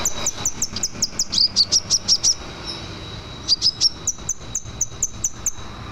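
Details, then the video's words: Singing scarlet minivet, a lively bird offered as a training model for others: rapid, evenly spaced high whistled notes, with a stronger burst of slurred whistles midway, a short pause, then more quick high notes. "Suara sepah raja merah gacor cocok untuk masteran"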